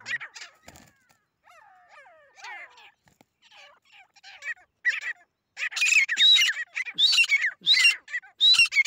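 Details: Grey francolin (desi titar) calling while fighting, a fighting bird. Squeaky, slurred notes at first, then loud, harsh, rapid calls cluster densely in the second half, repeated irregularly about 42 times a minute.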